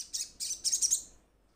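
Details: Brief run of quick, shrill chirps from a ruby-cheeked sunbird calling companions, four or five notes fading out within a second.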